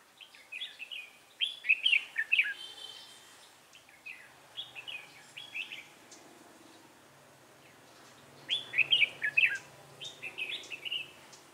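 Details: Red-whiskered bulbul decoy bird singing a fighting song during trapping, Vietnam, 3 November 2018: bursts of bright warbled, slurred whistled phrases in clusters, pausing between groups, some quieter phrases in the gaps.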